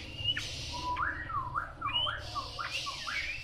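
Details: Chinese hwamei giving a series of clear, low, looping whistles, each slurred up and down, repeated several times at a moderate pace over faint background hiss.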